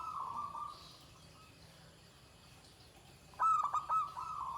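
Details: Zebra dove singing a shrill 'ke tek kuk' klare song: a sustained coo at the start, a quiet gap, then a loud, choppy series of rapid, stuttered coo notes.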